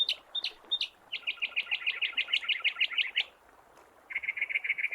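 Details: A single hopping mockingbird on the seashore of the Gulf of California one morning sings high, varied phrases: a few sharp notes, a fast run of about a dozen chirps, a pause, then a buzzy repeated note.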